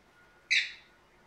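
A cockatiel gives one short, shrill screech that is harsh and high, then fades quickly.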